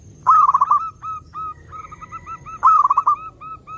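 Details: Lure song of a zebra dove meant to attract others of its kind: a loud fluttering burst of rapid coos opens, a series of gentler single coos follows, then a second loud pulsed burst.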